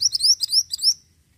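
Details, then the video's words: Ashy tailorbird song: a rapid burst of about five high, thin, rising whistled notes packed into one second, followed by quiet. "MANTENAN GACOR"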